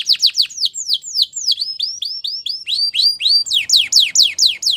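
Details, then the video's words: Belgian canary delivering a rapid series of sweeping whistled notes, some falling and some rising, roughly four per second, with a slight background hiss. "The best canary sounds | Belgian canary singing"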